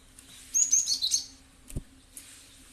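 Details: Cinereous tit, locally gelatik batu, heard as a lure sound: a tight burst of high, twittering chirps lasting under a second, then a single low thump and quiet hum.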